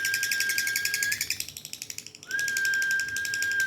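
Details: Dun fallow lovebird in ngekek style, a rapid run of harsh repeated chirps that fades briefly mid-way and returns. A continuous thin high tone sounds throughout.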